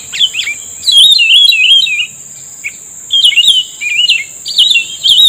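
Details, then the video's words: Black-headed bulbul reacting to a trapping lure: clear, fluid whistled phrases that dip and rise, broken into several bursts with brief gaps, over a steady high electronic-like tone. "pikat burung cucak rumbai tungging udah mengeluarkan rayuan mautnya"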